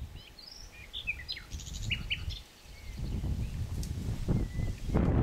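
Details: Common nightingale singing: a quick run of high chirps, short whistles and sliding notes in the first half, then fading into steady low rumbling background noise.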